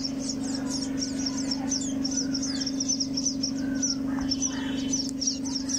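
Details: Sparrows nesting in a cavity at a home chirp busily in quick, high, overlapping notes, about two a second, over a steady low mechanical hum.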